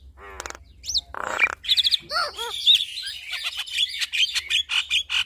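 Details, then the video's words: Duet of a male and a female Javan myna. Scratchy bursts and a few looping whistled notes open the passage, then a run of rapid, repeated chattering notes at high pitch. "Duet Burung Jalak Kebo Jantan dan Jalak Kebo Betina Adu Mekanik Bongkar Isian"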